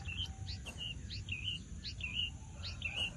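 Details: Javan bush lark in lively song, repeating a looping whistled phrase: a quick upslurred note followed by a bending, wavering whistle, about five times in three seconds, over low steady background noise.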